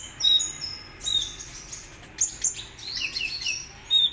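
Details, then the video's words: Actively singing kolibri ninja sunbird being prepared to win contests, giving separated bursts of very high thin whistles and squeaky slurred chirps with quiet gaps between them. "Suara Burung Kolibri Ninja Gacor Mau Juara - Hummingbirds Sound"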